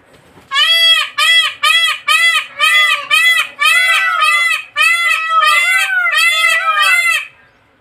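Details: Rapid series of about twelve loud, harsh, honking wails from a peacock in a bird garden, roughly two per second for seven seconds, each note briefly arched in pitch, then silence.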